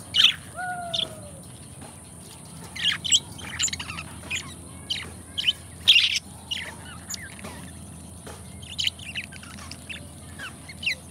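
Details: Two pet budgies living together warble and chirp in scattered bursts, with two smooth whistled notes sliding downward early on, and scratchy chatter continuing between quieter gaps.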